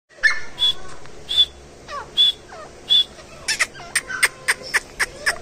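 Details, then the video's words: Grey francolin giving loud, shrill notes repeated about every three-quarters of a second, quickening into sharp clipped calls, with other birds' whistled chirps around them. "Jungli Desi Teetar ki awaz"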